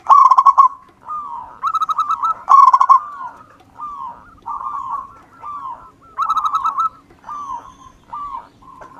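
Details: Wild local zebra dove singing actively, used as a lure: staccato bursts of rapid cooing pulses alternate with smooth, gently falling coos in a lively, uneven sequence, with clean, quiet surroundings.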